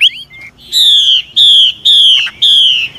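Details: Chinese hwamei, an old forest-caught bird whose changing song is meant to spur young birds into singing. After a short warble come four loud, clear, slightly falling whistles, each about half a second long, evenly spaced.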